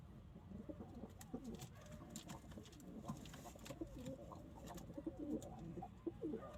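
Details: Kept pigeons cooing: low, throaty, rolling coos rise and fall in overlapping bursts, several birds calling against a steady background rustle and occasional soft clicks.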